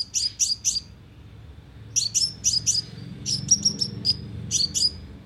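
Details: Sunbird lure call meant for speaker traps to provoke birds: sharp, high chirps in quick clusters of three to four, separated by short pauses, with a faint low rumble beneath.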